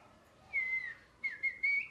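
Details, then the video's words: A parrot gives clear, high whistled chirps: one drawn-out note sliding slightly down, then three quick short whistles, with no other sounds. "Parrot Chirping Sounds"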